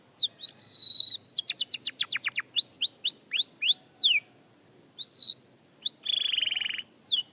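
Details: Beginner canary rehearsing: a sustained whistled note, then a burst of steep falling strokes, a series of arched slurs, pauses, and a harsh buzzy rolled trill before more slurred notes.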